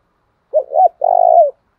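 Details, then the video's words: Spotted dove cooing as a lure to make wild rival doves fight: two short low notes bending up and down, then a prolonged, vibrating, level coo sliding slightly lower at the end. "Tiếng chim cu gáy kích bổi nhanh nổi, hiệu quả nhất hiện nay, chim cu đất thúc đấu vấy bổi"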